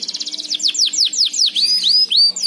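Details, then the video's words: Canary song used as a lure to get other canaries singing: fast trills of high whistled notes, then rapid repeated downward-sweeping chirps and rising slurred whistles, loud and continuous. "pancingan suara kenari agar cepat gacor"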